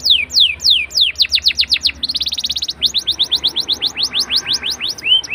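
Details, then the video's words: Canary song played to coax young canaries into singing quickly: rapid descending whistled sweeps, a brief dense buzzy trill in the middle, then fast repeated rising-falling notes ending in a short upward slur; steady low hum in the background. "PANCINGAN KENARI MUDA AGAR CEPAT BUNYI DAN GACOR CENGKOK ENAK! kenari Manapun akan langsung nyaut"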